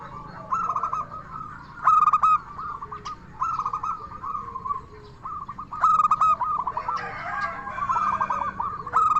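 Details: Lure song of a local zebra dove from Indonesia, in the crystal-voiced style meant to draw answers from other doves: continuous trilled cooing with sharp ringing notes, plus a second, overlapping bird's phrases late on.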